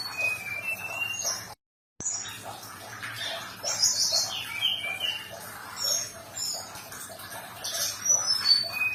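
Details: Sumatran leafbird song for calming a stressed bird so it sings again: a level whistle, a brief silent gap, then a busy sequence of high whistles and slurred chirps layered over background hiss.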